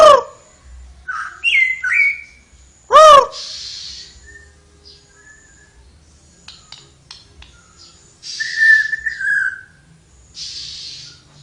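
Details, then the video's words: Flowerpecker singing lively: scattered short whistled phrases, rising and falling notes early on, a loud sweeping note, then a drawn-out descending whistle, with bursts of hissing noise between. "suara burung tledekan gacor"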